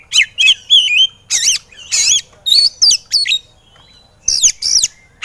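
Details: White-rumped shama (kacer) song recorded as training for birds reluctant to sing: strong, looping whistles and harsh buzzy notes in a rapid series, a brief pause, then two more bright sweeping notes.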